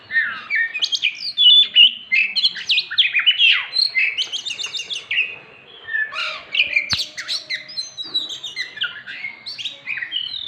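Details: Oriental magpie-robin song played to stimulate silent birds to sing: a dense run of varied whistles, quick chirps and scratchy mimicking phrases, with a single sharp click midway.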